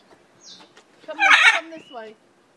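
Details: A captive breeding pair of Hyacinth macaws (Anodorhynchus hyacinthinus) in England: one loud, harsh, grating squawk about half a second long, with a few fainter rasping notes and a thin high whistle just before.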